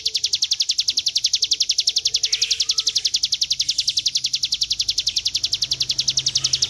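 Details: Mountain prinia (ciblek gunung) in a long 'ngebren' trilling song, used as a training recording; a continuous, very high, rapid and evenly pulsed trill of about four notes per second, sustained throughout, with faint low background hum.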